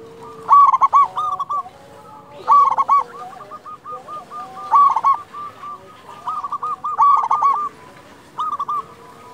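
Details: Big-voiced local zebra dove used as a lure recording to prompt other doves to sing; repeated bursts of quick, stuttering coos about every two seconds, overlapping steady softer cooing from further doves in the background.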